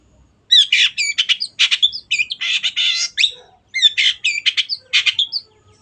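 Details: Long-tailed shrike, a singing cage bird used to train other shrikes: two bursts of harsh, fast chattering mixed with curling squeaky whistles, separated by a short silence.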